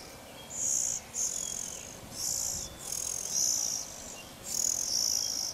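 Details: Oriental magpie-robin, also called chìa vôi, raising its young, filmed from a camera set up high; high, hissy bursts, each about half a second, come in a broken series of six, with steady background hiss.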